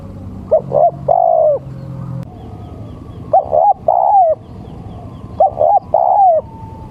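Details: Male spotted dove call used to lure other doves: three phrases, each two quick coos then a longer falling coo, spaced about two seconds apart, with a low humming background.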